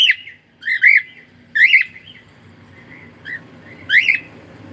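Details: Pet cockatiel giving a quick series of bright, warbling whistled calls, about four loud notes with a softer one between, against faint indoor hum.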